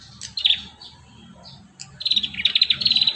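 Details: Prinia song played as a lure to train young prinias to sing. Brief high chirps, then from the midpoint a fast run of sharp, repeated twittering notes, with a low rumble underneath.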